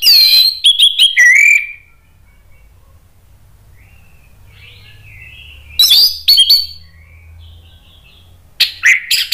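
Orange-headed thrush giving rich, varied whistled phrases with sharp notes, in three bursts separated by quiet pauses; faint background hum.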